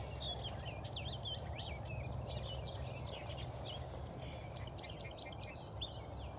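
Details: Song Sparrow singing at 8:30 am on 14 May 2020 at Aullwood after cold, frosty mornings: a bright, jumbled song of quick chirps and trills, with other birds chirping and a steady low rumble of wind or traffic.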